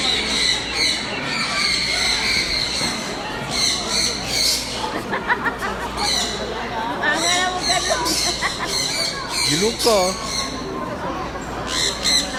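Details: Lovebirds giving loud, high, harsh squawks and rapid chattering bursts throughout, some notes sliding up and down. Human speech is mixed in through the middle.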